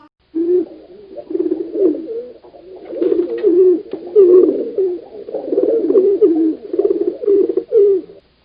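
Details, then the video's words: A pigeon, shown as a domestic animal, gives low, throaty coos, rolling and bubbling in repeated phrases. "புறா எப்படி சத்தம் போடுன்னு உங்களுக்கு தெரியுமா?"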